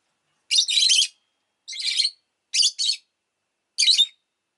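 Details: Rosy-faced lovebird chirping steadily: four harsh, grating shrieks, some split into double notes, roughly one a second, in otherwise clean silence.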